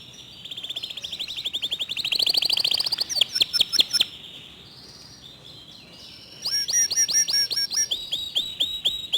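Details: Local canary song, delivered fast and dense with clear tone: a long buzzy rising trill, then sharp descending whistled notes, a short pause, and a second run of rapid downward-sweeping chirps.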